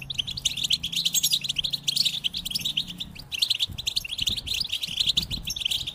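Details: Goldfinch song of quick tinkling chirps in rapid bursts, a short gap near the middle, with a soft low hum underneath during the first half.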